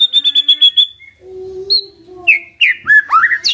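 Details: Lure song of a white-rumped shama to make a silent bird respond: a quick high trill, a long steady low whistle, then bright warbled slurred phrases.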